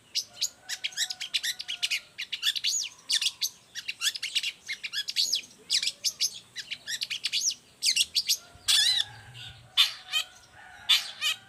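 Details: Long-tailed shrike singing actively, a song offered as a tutor model and to provoke other shrikes into singing. Rapid run of sharp high chirps and trills, nearly continuous, ending in a few louder separate notes.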